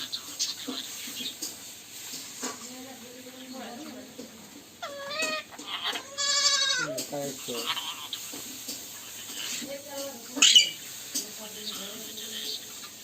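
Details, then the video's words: Indian ringneck parakeets (rose-ringed parakeets) talk in short, speech-like phrases with nasal rising and falling syllables, and give a few sharp, buzzy squawks between them. "Ringneck Talking And Dancing Parrots"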